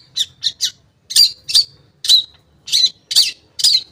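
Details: Long-tailed shrike lure recording meant to make shrikes that stopped singing start again: three quick scratchy notes, then a spaced series of loud, rasping squawks about every half second.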